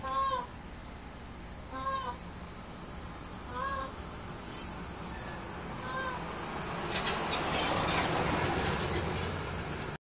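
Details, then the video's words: A peacock's possible mating call (uncertain): five short, nasal, mewing calls about every two seconds, with a rushing wind- or traffic-like noise building toward the end; Indian peafowl. "Peacock Mating Call?"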